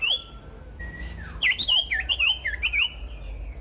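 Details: Common iora song meant to provoke other ioras into singing: a lively run of looping, wavering whistled notes repeated rapidly over a few seconds.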